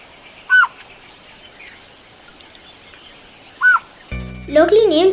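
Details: Blue-faced Malkoha (small green-billed malkoha) in Sri Lanka, linked to the Elephant Transit Home at Uda Walawe: two short, slurred, mid-pitched notes about three seconds apart, followed by music and a voice.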